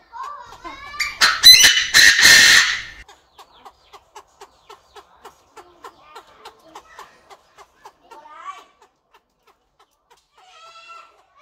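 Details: Chinese francolin in an aviary, with a male crowing and a female clucking. A loud, harsh, buzzy burst of about two seconds is followed by a steady series of soft, short notes, several per second, that fade out with a few chirps.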